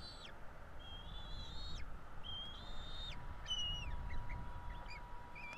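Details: Two Bald Eagle nestlings during a feeding at a Florida nest, 5 April 2022. Drawn-out high whistles, each about a second long, end in down-slurs, followed by a scatter of brief chirps and a faint steady hum.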